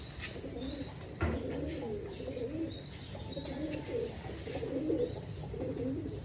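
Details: Pigeons on a rooftop pigeon farm at breakfast feeding time, giving low, rolling coos repeated throughout, several birds overlapping, with faint rustling and a brief thump.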